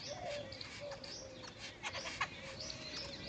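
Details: Jungle babbler chattering: rapid overlapping harsh, squeaky notes and short upward slurs, several birds calling together over a steady low hum.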